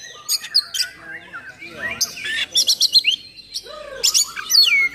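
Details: Oriental magpie-robin delivering a fierce, rough-filled song for provoking and training others of its kind; bright whistled slurs, clipped rapid notes repeated in a short series, and a falling whistle near the end.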